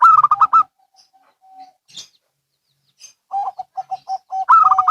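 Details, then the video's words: Zebra doves, local and Bangkok, answering each other: a loud quick burst of stuttering coos, near-silence with a faint drawn coo, then a row of soft regular coos leading into another loud burst. "Perkutut Lokal & Bangkok Bunyi Saling Bersahutan"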